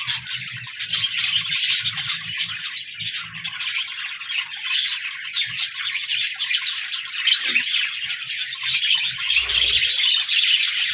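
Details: Pet budgerigars on 14 January 2024 fill the air with a dense warbling chatter of chirps and squeaks, louder toward the end, with a low hum early on and a brief dull thud near the close.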